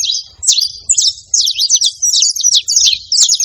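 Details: Saffron finch singing free in nature: a few separate high chirps at first, then a rapid run of sharp twittered notes, backed by quiet low noise.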